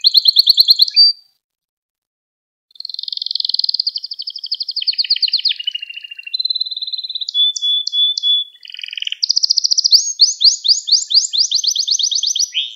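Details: Canary song for training young canaries to sing: opening trill, a pause, then long rapid trills, a steady whistled tone, short repeated notes and a final series of fast sweeping syllables.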